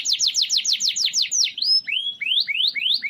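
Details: Canary singing to tutor other birds: rapid series of downslurred whistled notes, then slower rising slurred whistles repeated about every third of a second.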